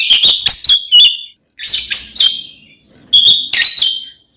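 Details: An Oriental magpie-robin delivers a provoking fighting song aimed at rival magpie-robins, three short bursts of loud clipped whistles and chips with brief pauses between them.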